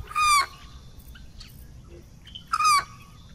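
An American white ibis gives two harsh, nasal honks, each about a third of a second long and spaced roughly two seconds apart, over a quiet background.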